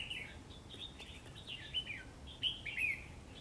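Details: Red-whiskered bulbul at a fighting trap, where a caged decoy bird lures a wild bird to fight, on a cold rainy day. Short bursts of bright, slurred, warbled whistles sound at intervals. Steady low rushing noise runs underneath.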